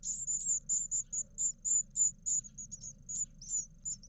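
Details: Begging from nine eleven-day-old great tit chicks inside an Israeli nest box as parents feed them twice, March 2021: steady series of short, shrill high-pitched squeaks, about three or four per second, over quiet background.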